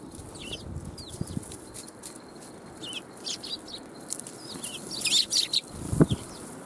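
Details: Sparrows coming for food at a Tenmangu shrine on 1 January 2021, giving repeated thin, slurred chirps that build to a busy cluster, with a soft thump and low rumble.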